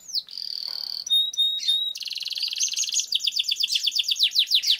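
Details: Canary in long-rolling gacor song, for training: a steady high buzz, a few clear whistled notes, then a fast rattling roll breaking into rapid down-slurred sweeps.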